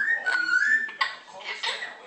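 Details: An 8-month-old pet double yellow-headed amazon gives a clear, sliding whistle that dips then rises, followed by rough, speech-like talking, "how are you".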